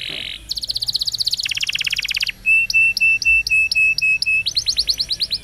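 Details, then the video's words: Canary singing for training young canaries. Rapid mechanical rolls and buzzing trills change tempo, then a run of clear piping notes repeated about six times a second, ending in quick rising chips. "Canary Bird Singing Video Training Canaries - Canary Singing Like A Champion For Young Canary"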